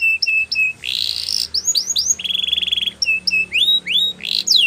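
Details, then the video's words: Training song from a canary, mixing short clipped whistles, a scratchy buzz, curling rising notes and a steady rapid trill, with varied phrases following closely one after another. "Best Canary Sounds !! Suitable For Canary Training"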